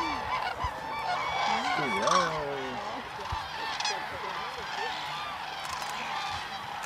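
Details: Common cranes at their April 2009 dance grounds at Hornborgasjön, Västergötland, filmed with a Canon XL2. Close birds give ringing, rolling bugles in quick succession over a vast background chorus, with swooping lower notes in between.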